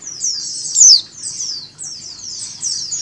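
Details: Female mountain white-eye calling, mixed with a flock's calls and used to make white-eyes open their beaks; high, buzzy, falling notes repeat in overlapping streaks, with one louder sharp note near the first second.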